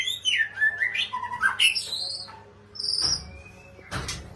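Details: Oriental magpie-robin giving a brief burst of lively looping whistles and chirps, followed by a high squeaky note and a few clicks and knocks.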